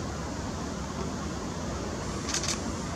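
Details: A quiet background hum is broken by two sharp mechanical clicks near the end, with no animal calls.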